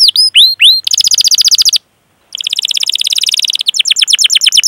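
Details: Rolling canary song used to prompt young, untrained or silent canaries to sing: curving whistled notes and a quick trill, a brief silence, then a dense buzzy roll ending in faster chips.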